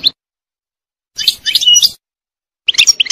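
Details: Wild European goldfinch in a forest giving short bursts of bright, twittering song notes, two brief clusters separated by silence.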